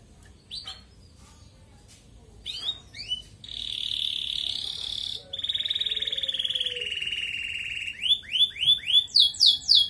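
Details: Actively singing red canary, ngerek style, played to raise breeding drive in colony-kept females: upslurred whistles, then two long buzzy rolled trills, ending in a fast series of repeated rising sweeps.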